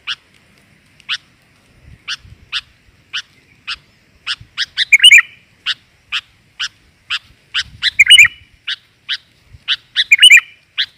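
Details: Female sooty-headed bulbul calling in the 'gajor' style to attract males: steady single sharp chips about every half second, broken three times by short warbled flourishes, with faint low knocking.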